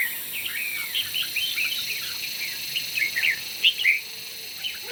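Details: Red-whiskered bulbul in morning competition song, a continuous run of quick warbled and whistled chirps with a few louder accented notes near the end, over constant high-pitched background hiss.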